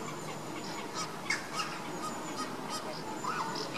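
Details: Caribbean flamingos honking during baseline activity: short nasal goose-like honks in a busy jumble, roughly three a second, one louder note early on, set against constant low background rumble.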